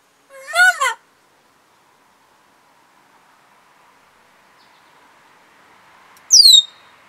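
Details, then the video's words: African grey parrot kept as a pet, talking on 24 July 2021: a loud, harsh warbling burst opens the recording, followed by a long quiet stretch, then a sharp high whistle sliding downward near the end. "The African Grey Parrot Talking"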